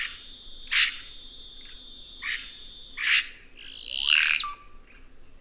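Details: Red-rumped cacique singing: sharp harsh notes spaced about a second apart, then a long rushing, tearing burst that ends in a short low whistle, over a steady high insect-like hum.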